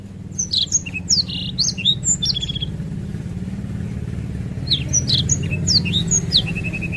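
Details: Black-throated canary rolling song in two bursts of rapid high chirps, slurred whistles and short trills, the second ending in an evenly repeated ticking series, with a continuous engine-like rumble of passing traffic underneath.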